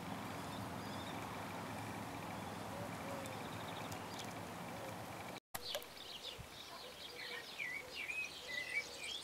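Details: A common kestrel, one of a pair starting to nest in a nest box on a power pole about 8 m high in countryside at Crevillent, gives a quick series of sharp, high chattering notes after steady outdoor hiss and faint chirps.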